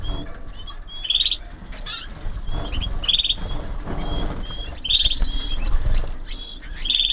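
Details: Canaries born in 2014, kept together in a flight aviary: short, bright trilled chirps come about every two seconds, with soft wing flapping and low rumbling in between.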